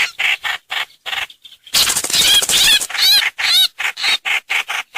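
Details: Streak-eared bulbul lure call: short chirping bursts, then a denser stretch of bright, wavering chattering notes, followed again by evenly spaced short calls.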